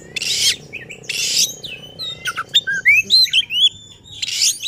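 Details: Oriental magpie-robin in agitated song, its repertoire on display, used to provoke rival magpie-robins; harsh scratchy hissing bursts alternate with clear upslurred whistles and short varied notes, over a faint low hum.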